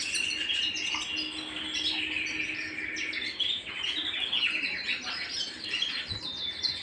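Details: Canary singing at home, a softer dense warble of rapid chirps and short trills mixing high and middle notes continuously, with some faint background murmur.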